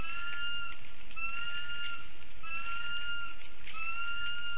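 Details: Lesser spotted eagle family heard near a black stork nest in Ogre municipality on an August 2024 afternoon; long, level whistles repeated about every 1.2 seconds, some ending in a slight upward inflection, with steady low hum beneath.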